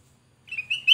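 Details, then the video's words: Black-crested bulbul singing actively, a recording meant as a lure for catching other birds: after half a second of quiet, a short run of clear whistled notes near one pitch, rising slightly and growing louder toward the end. "Suara burung kutilang Emas Gacor//Pasti Cocok untuk Pancingan"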